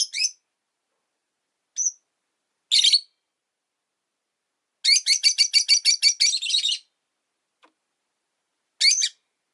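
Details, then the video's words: Rosy-faced lovebirds in a cage by a window, five birds in the household, calling with sharp high squeaks and a long fast run of about a dozen shrill chirps, followed by a lone harsh call. "Lovebird Chirping Sounds"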